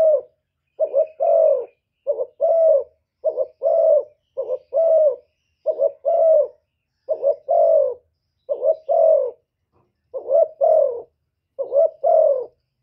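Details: Spotted dove cooing and calling to provoke rivals, a lure style: low, hoarse two- and three-part coos repeated steadily about every second, clean and loud with no other sounds.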